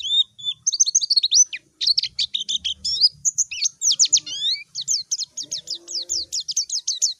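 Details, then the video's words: A white-eye calls to a rival in a clean recording: a busy, high-pitched twitter of chirps and slurred whistles, finishing in a fast, regular string of sharp descending notes. "Masteran suara burung PLECI MANGGIL LAWAN || suara JERNIH"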